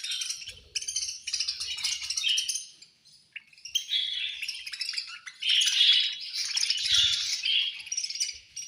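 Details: Budgerigars chirping at feeding time: high, quick twitters and squeaky warbles from several birds in uneven bursts, a brief lull, then a louder, busier surge of chatter with a faint thump.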